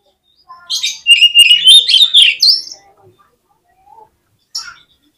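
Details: Lively oriental magpie-robin song meant to trigger competitive singing in other magpie-robins: one loud, continuous phrase of fluting whistles climbing in pitch, laced with raspy buzzes and ticks, followed by a few soft isolated notes.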